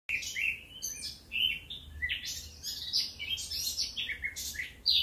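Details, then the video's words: Eurasian blackcap song recorded in Occitanie, southern France, in 2022: a rich, varied warble of quick fluty and scratchy notes, some bright whistles rising high, running for about five seconds with brief pauses. "Le chant de la fauvette à tête noire"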